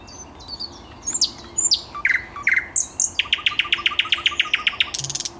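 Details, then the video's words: Song of a thrush nightingale on 10 May 2021: varied high whistles and clicks, paired downslurred notes, then a long even series of rapid repeated sharp notes ending in a buzzy burst. "Słowik Szary"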